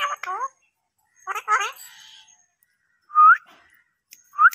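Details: Talking parrot producing rapid, speech-like syllable bursts, two groups of chattering word sounds, then short rising whistled notes after a pause. The room is otherwise quiet.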